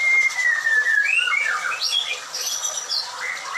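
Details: White-rumped shama kept at a breeding farm: it opens with a long, clear descending whistle, then gives a jumble of short upslurred and high whistled notes at a brisk pace.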